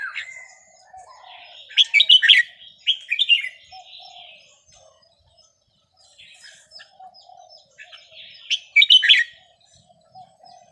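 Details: Vietnamese red-whiskered bulbul, a small caged bird aged 10-plus, giving counted-phrase (nap dok) song: three short bursts of clear, bubbly whistled notes separated by quieter soft chirps and pauses, in otherwise quiet surroundings.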